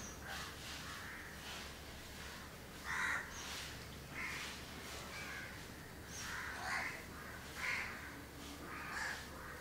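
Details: Two house crows groom each other at Candolim, Goa, in December 2010, giving scattered rasping caws spaced a second or more apart, faint against constant low background noise.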